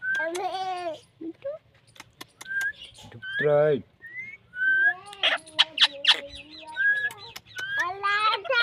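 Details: Talking pet parrot mixing speech-like squawks, short clear whistles and a buzzy wavering trill, with clicks and a low voice-like sound in between.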